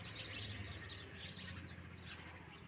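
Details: Little sparrow, locally called chittu kuruvi, giving faint, high, short chirps scattered through the recording, a few notes standing out near the start and middle, over a steady low hum and background noise.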